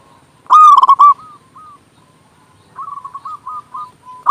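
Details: Zebra dove, local, singing with a large voice to stimulate doves to sing; one loud burst of rapid hollow coos, followed by a fainter rolling series of coos and a final loud note.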